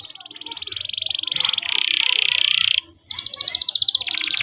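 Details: Canary masteran recording: long buzzy trills of rapidly pulsed notes, one high and one lower, a short pause, then a higher fast trill dropping into a lower one, over steady background hiss.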